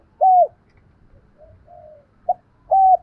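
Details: Spotted dove calling, kept for training decoys: a clear arched coo, soft faint intermediate notes, a brief clipped note, and a final steady coo, with little background noise.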